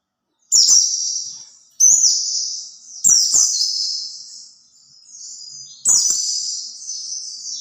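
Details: Song of a white-eye meant to lure other white-eyes: high, rapid warbled phrases roughly every one to two seconds, each starting with clicking ticks and gliding down in a bright twitter.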